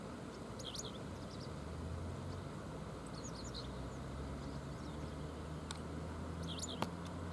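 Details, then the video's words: On the Oita River at 7:14 in the morning of July 30, a Japanese wagtail exchanges calls with companions. Brief, thin, high notes come in small groups, with one sharp click near the end, over a constant low rushing background. "Oita River Conversation with Friends Japanese Wagtail"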